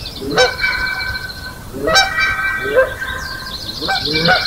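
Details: Canada Geese calling at dawn on May 4, 2016 in Johnson Prairie's natural amphitheater alongside Sandhill Cranes. Four sharp, upward-bending honks arrive about a second apart, each starting with a bright crack, against steady crane calls in the background.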